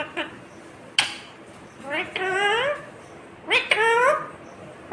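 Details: Green ringneck parrot mimicking speech, giving two longer voice-like phrases with gliding, harmonic tones, preceded by a sharp click.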